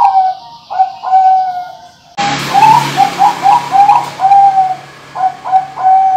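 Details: Large-voice Bangkok zebra dove kept by an Indonesian breeder, one of seven compared for rhythm and tone: paired mellow coos, then a quick run of rolling, bouncing coo notes ending in steady drawn coos.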